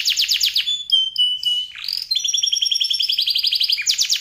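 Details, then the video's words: Chatty canary singing a long, elaborate song used as a master recording for training songbirds in Indonesia: fast high buzzy trills, a few clear whistled notes, then a long rapid rolling trill with a brief bright trill at the end. "Kenari Gacor Isian Lagu Mewah, Durasi Panjang"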